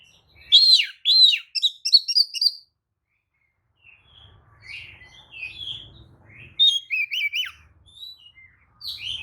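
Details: Oriental magpie-robin lure song, meant to provoke other magpie-robins into answering and fanning their tails: rich varied whistled phrases, sliding and warbled, in fast bursts, a pause near four seconds, then more trills, with faint low rumble.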